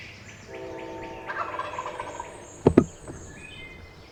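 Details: Wild turkey gobbler on the limb at dawn roost, spring hunting season on Pennsylvania public land; a rolling gobble, then two sharp loud knocks close by, while songbirds trill and whistle softly behind.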